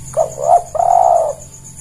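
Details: Single spotted dove phrase used to lure birds for catching: two short husky coos running straight into a longer, steady, vibrating coo, with faint hiss behind.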